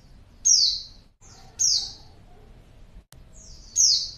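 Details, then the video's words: Calls of a female white-eye meant to provoke males: three quick, piercing high notes, each dropping in pitch, given roughly every 1.5 seconds against a quiet, low hum. "pleci betina#buat pancingan pleci jantan"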